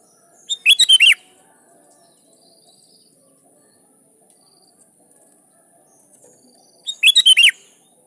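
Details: Loud, lively sooty-headed bulbul calling rivals, a recording for luring wild bulbuls into answering: a short bubbly five-note phrase, a long quiet pause of about six seconds, then a matching phrase.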